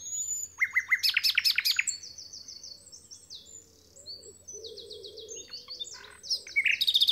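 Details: On Alners Gorse a nightingale delivers fast stuttering high trills, then thin whistled phrases in varied short runs, ending with another rapid burst. A soft low warbling sound continues in the background.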